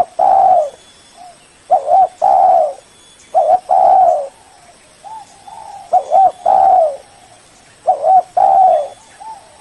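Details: A spotted dove lure call to summon a rival: soft, low hooting coos in short phrases, each a quick burst and a longer drawn note, repeated every couple of seconds.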